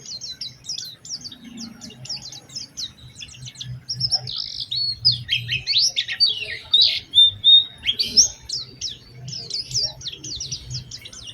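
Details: Oriental white-eye lure song to prompt other white-eyes into singing: clusters of fast high chips, then louder buzzy slurred phrases and warbling in the middle, over faint low background noise.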